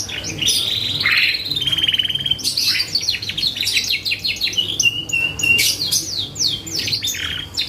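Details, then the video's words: Canary in full, energetic song, played as a lure to trigger other birds: long buzzy rolling trills, bright rising sweeps and dense high chattering passages without pause. "PANCINGAN BURUNG KENARI GACOR || BONGKAR ISIAN LAWAN"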